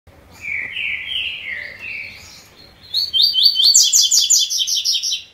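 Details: Double-collared seedeater singing the three-note song style: slurred whistled notes around mid pitch, then a fast run of high, bright, buzzy repeated trills rising in pitch over the last two seconds.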